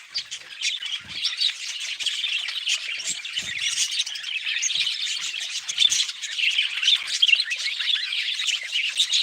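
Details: Budgerigars keep up a constant high chattering, grating squawks and quick chirps layered over one another, with a few faint low knocks in the background.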